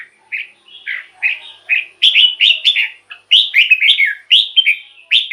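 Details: Red-whiskered bulbul kept as a caged bird, singing to excite other caged birds: short, bright whistled phrases of two to four rolling notes, delivered in quick succession with brief gaps between them.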